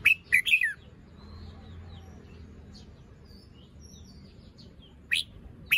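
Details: Morning phrases from a caged red-whiskered bulbul with fluffed, moulting plumage and an incomplete crest: three punchy warbled notes at the start, soft faraway chirping in between, then two more strong notes at the end.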